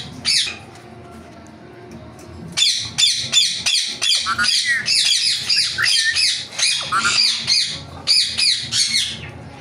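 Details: A ringneck parrot gives one squawk, falls quiet, then bursts into a steady series of harsh, strident screeches spaced roughly a third of a second apart.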